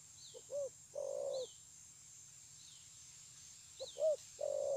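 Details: Cooing of a spotted dove, 9/6/2020: a quick two-part hollow coo then a long steady low coo, given twice; thin falling whistles of another small bird sound between the phrases.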